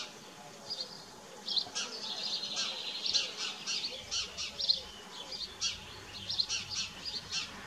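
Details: Common kestrels in Dohr on 4 June 2015, as the male brings a mouse and the young feed: shrill, hissing high-pitched calls come in irregular bursts, some clustered closely together, over a quiet rural background.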